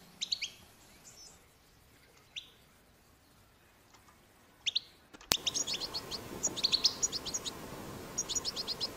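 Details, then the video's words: Wild European goldfinch recorded in the wild, a strong twittering song used to stimulate goldfinches to sing: scattered faint high chirps for five seconds, then an abrupt break into louder, rapid tinkling twitters with sharp high notes. "أقوى بتبتة حسون"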